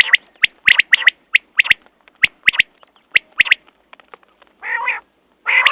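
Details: Quick volleys of sharp, ringing high notes from a quail, later giving way to two long, coarse, nasal buzzing bursts.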